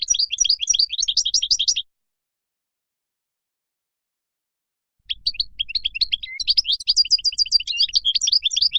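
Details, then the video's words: European goldfinch singing wild-type song meant for tutoring chicks: dense, fast tinkling twitters for about two seconds, a long pause, then a longer jumbled liquid phrase of high chirps and trills. "تغريد الخلوي أو البري لطائر الحسون"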